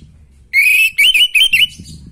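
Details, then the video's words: Orange-headed thrush song to prompt a bird lacking breeding drive: a long slightly rising whistle followed by three or four fast trilled whistles, with faint low noise after. "Anis macet kurang birahi auto respon pakai suara video ini"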